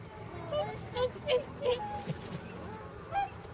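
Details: Whooper swans at a pond in Nagamine, Nishiyama-machi, shortly before their journey north, with close to 300 swans present that day; scattered short nasal honks at irregular intervals, several birds calling over a low background rumble.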